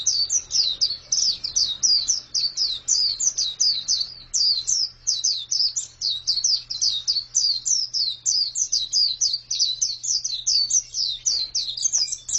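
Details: Female white-eye giving a long, lively chatter of high, sharp chirps packed closely together without pause, a faint low hum underneath.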